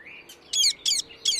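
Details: Indian ringneck parakeet calling in nature: a thin rising note, then three loud, harsh, grating screeches in quick succession, roughly three per second, against a quiet background.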